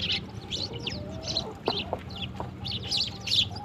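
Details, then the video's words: In the morning, sparrows play with water and drink, uttering separate short sharp chirps in irregular bursts, some with thin whistled notes between, fairly quiet against a soft background hum. "sparrows in the morning| beautiful birds play with water #sparrow #drink #water #chirping"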